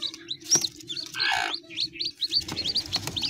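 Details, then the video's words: Chicks of domestic fowl calling with a rapid run of high, hooked peeps, interrupted by a short burst of rustling noise, over a steady low hum. "Beautifull hen child । Hen child sound effect"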